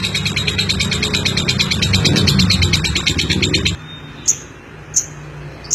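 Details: Lovebird chatter in rapid high pulses over a loud low rumble, stopping abruptly, then followed by three isolated sharp chirps spaced about a second apart.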